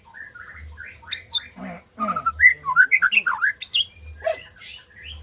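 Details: White-rumped shama song used to stimulate silent birds to sing; a quiet start, then a dense run of rich slurred whistles and rough chattering notes, with a low hum underneath.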